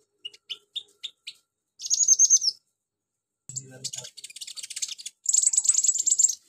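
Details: Van Hasselt's sunbird song filled with imitations of crickets, chicks, cililin and golden grasshopper: a few separate sharp ticks, a sustained shrill trill, then fast buzzy, insect-like chattering rising to a dense high rattle.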